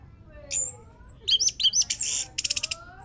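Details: Orange-headed thrush song used as a lure so a bird will sing: very high thin whistles followed by a fast burst of harsh, buzzy scratchy notes and a quick rattling trill.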